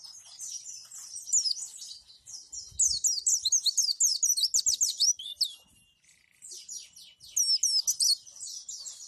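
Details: A white-eye (pleci) training recording for song mastering sings a fast, high, jumbled run of thin chirps and twittering trills in bursts, with brief pauses and a few soft low thumps.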